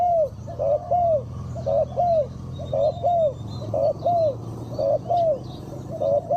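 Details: Spotted dove used as a trapping decoy, calling to lure wild doves; mid-pitched arched coos come in close pairs, roughly one a second, with faint higher bird chirps and a low rural hum behind.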